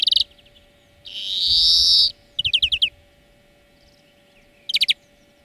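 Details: Training song of a European greenfinch: a brief trill, then a strong buzzy wheeze lasting a second, a clear six-note rattle, and a closing short trill.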